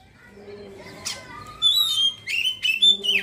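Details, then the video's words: Oriental magpie-robin doing ngeriwik chatter that opens into ngeplong song: soft, thin notes at first, then loud, sharp whistled phrases and sweeping chirps in quick succession. "kacer ngeriwik langsung ngeplong seketika"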